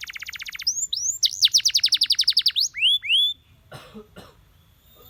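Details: Canary song for training other canaries to sing. It opens with a fast, even trill of short notes, then rising whistled sweeps and a rapid rattling series of notes. Two brief rough, cough-like noises follow near the end.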